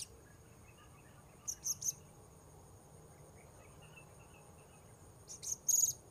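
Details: Blue-crowned hanging parrot during an attempt to lure wild birds at a new spot: two short bursts of three thin, shrill chirps separated by several seconds of quiet, with a continuous high-pitched whine behind.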